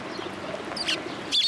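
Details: Sparrows flocking with white pigeons to take food at a post at a Tenmangu shrine on 27 January 2023; two brief, high chirps come close together near the end over a steady outdoor hiss.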